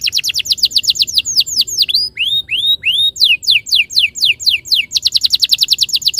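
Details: Canary lure song for training other canaries to sing: rapid rolls of falling whistled notes, a few slower upward-curving notes in the middle, then more fast descending trills, loud and continuous throughout.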